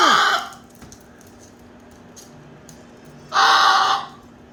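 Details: Pet male Moluccan cockatoo making noises while playing: two very loud, raspy, broadband screeches, each roughly half a second to a second long, separated by about three seconds of quiet.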